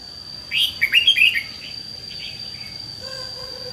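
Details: Fighting song of a red-whiskered bulbul, sung to lure wild birds and rouse a decoy: one quick phrase of about five clear, bubbling, rising and falling notes, then faint softer notes over a constant high-pitched tone.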